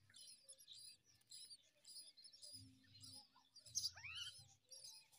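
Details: Common myna at its nest in the morning, feeding newborn chicks: thin, high squeaky chirps come in quick bursts, with one slurred rising whistle near the end over a faint low hum.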